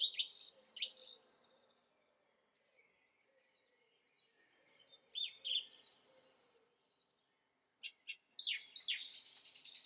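Song thrush singing bright, varied phrases in bursts of a second or two, with short notes repeated several times before pausing; a faint low murmur sits underneath.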